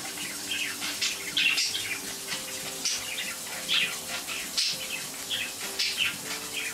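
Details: Pet budgerigars chattering during running water, their 'water animation': scattered sharp chirps and short warbled notes spaced irregularly above a strong steady rush of tap water.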